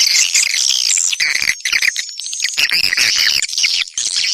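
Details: Swiftlets' attracting call: thick, high chirping and buzzy chatter, with many short rising notes tumbling over each other and a faint thin whistle running through.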